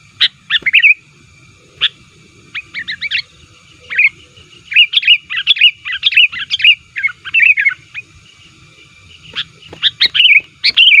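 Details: Sooty-headed bulbul lure recording, described as lively and aggressive toward rivals, used to attract wild bulbuls: bursts of bright, bubbly chirps and short notes in uneven clusters, with brief pauses between runs.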